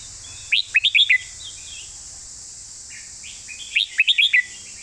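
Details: Red-whiskered bulbul 'master song': the same phrase of five or six bright, bouncing whistled notes sung twice about three seconds apart, with a few soft notes between and steady high hiss.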